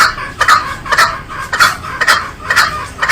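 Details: Green junglefowl giving loud, harsh, clucking notes, about two per second, each a short burst with a nasal ring, over a quiet background.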